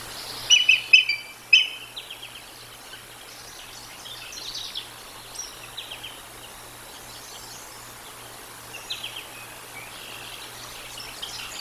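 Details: Bald eagles at the Decorah North nest, filmed by a nature live cam, dated 07/13/2022: a burst of sharp, high chirping notes early on, then fainter scattered chirps over steady background hiss.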